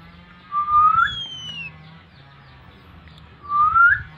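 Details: Calling whistles to attract an oriental magpie-robin in breeding condition: two clear, rising whistles about three seconds apart, the first followed by a thin, falling higher note, over a faint low hum.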